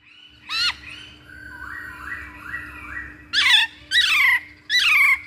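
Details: Masked laughingthrush sounds for luring birds: a harsh squawk, soft stepped whistles, then three loud rasping squawks about one second apart, over a low steady hum.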